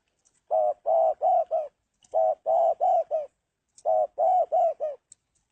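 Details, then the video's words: Spotted dove cooing: three phrases of four low, mellow coos each, the first short and the rest longer, with phrases repeated roughly every one and a half seconds against a quiet background. "tiếng chim cu gáy Độc Lạ"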